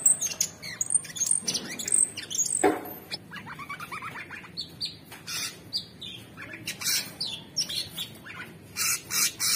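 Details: Orange-bellied leafbird (cucak cungkok), super gacor, sings in the modern 'materi' style: varied high whistles, sharp chips, and harsh buzzy bursts, loudest early on, then patchier rasping phrases toward the end.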